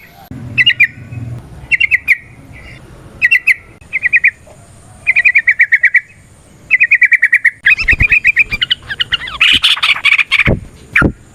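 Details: Lively yellow-vented bulbul song used to prompt other bulbuls to sing: clustered bubbling whistled phrases repeated every second or so, building into a longer rapid chatter with some knocking sounds near the close.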